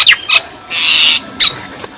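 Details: Pet common myna parents and two or three other mynas give harsh, raspy alarm screeches around a chick that fell from its nest in a bamboo grove during a stormy night, heard at dawn after the rain.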